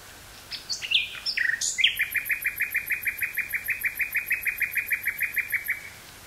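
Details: Nightingale singing in woods near Burgh-Haamstede, Netherlands, on 18 May 1983, taped with a Sony TCD-5M portable cassette recorder and Sony 949-T stereo microphone: a few varied sharp notes lead into a long, steady run of about thirty rapid repeated notes.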